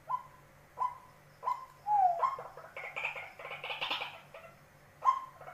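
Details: A tame white-breasted waterhen used as a decoy repeats short, hollow, mid-pitched notes. A louder, rougher burst of calling breaks up the sequence partway through before the even notes resume.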